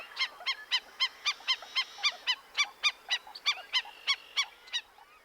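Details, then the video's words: A flock of Black-necked Stilts calling sharply at one edge of a wetland amid wheat fields, Montana, early morning of 5 June 2025: sharp nasal yapping notes about four a second, with fainter flock calls overlapping. "At one edge of the wetland, a flock of black necked stilts is calling sharply. [Laughter]"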